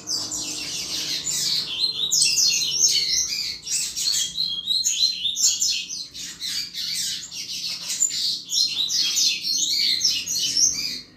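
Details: Double-collared seedeater song meant to stimulate other males, a dense, continuous stream of high, rapid chirps, trills and twittered phrases with little pause, over a faint low background hum.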